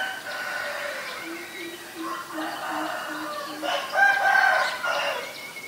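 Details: Greater coucal recorded in Ubon Ratchathani, Thailand, on April 21, 2022: a steady series of about eight deep, hollow hoots evenly spaced over a few seconds, with a rooster crowing and other birds chattering at higher pitch.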